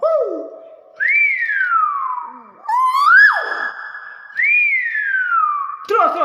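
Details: Talkative hill myna imitating speech: long, clear whistles that leap up sharply and then slide slowly downward, repeated about three times. Harsher, voice-like bursts sit between the whistles.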